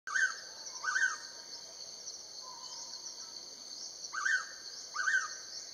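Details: Indochinese blue flycatcher (Cyornis sumatrensis) giving short, bright, descending call notes in pairs about one second apart, over a steady high insect drone.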